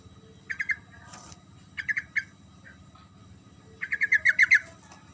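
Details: Yellow-vented bulbul in full rolling song, meant to provoke silent birds into answering. Three chattering bursts of quick bright notes, the last a long run of about eight, with low hum behind.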